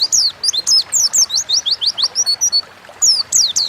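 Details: Oriental white-eye, an Indonesian cage bird, giving a rapid series of high, clear downslurred whistles, about four notes per second, pausing briefly before a final pair of notes.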